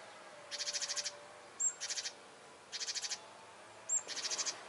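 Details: Great tit alarm calls directed at a hunting cat, expressing displeasure and warning others: four harsh chattering bursts of about six rapid ticks each, roughly one per second, some introduced by a thin high note.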